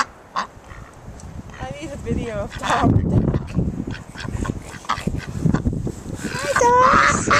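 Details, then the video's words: Ducks at Whitby Abbey crowding people in expectation of food, giving harsh, nasal quacks in an uneven burst, with people talking over them and steady wind noise throughout. "noisy ducks at Whitby Abbey"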